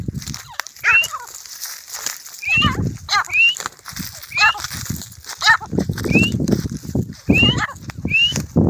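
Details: Fighting grey francolin giving spaced bursts of sharp, rising, slightly hoarse notes at irregular intervals, partly masked by low background noise and voices.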